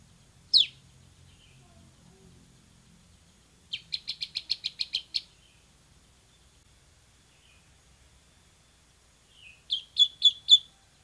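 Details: Loud tutor-recording song of a bar-winged prinia, 'semi' type, for training caged birds: a lone sharp descending note, then a rapid burst of about eight clipped chirps and, later, a shorter run of four.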